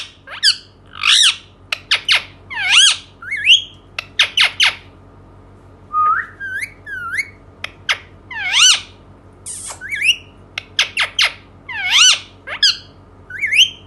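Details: Indian ringneck parakeet in an excited run of sharp downward chirps, clicks and grating squawks, with a short level whistle midway, packed closely over about fourteen seconds.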